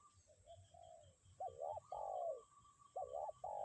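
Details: Spotted dove in strong wind, used as a lure, gives soft lead-in coos then loud double-humped coos and a long descending coo, with gusty low wind noise.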